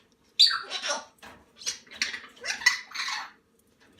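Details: Salmon-crested cockatoo chicks, hand-raised indoors, being fed: harsh, broad squawking bursts repeated in a rapid series, with brief pauses between, in a quiet small room.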